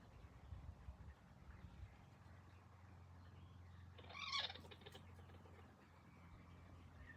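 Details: Quail giving an unfamiliar squeaking burst: a brief cluster of high, bright chirps with rich overtones lasting about half a second near the middle, set against a low steady hum and faint rustling.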